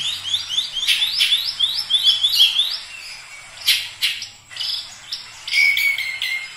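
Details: Oriental magpie-robin pouring out a rapid series of upward-swept whistled notes, repeated several times a second, then a few sharp clicks and a steadier whistled phrase at the close.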